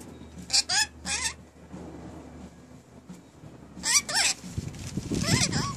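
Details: Newly kept rainbow lorikeets talking, giving short, paired, harmonic squawks with wavering pitch, separated by quiet pauses, and a busier rasping cluster near the end.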